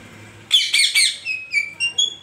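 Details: A pet parrot gives three loud, rasping squawks in quick succession, then a string of short, clear, high chirps that step up and down in pitch.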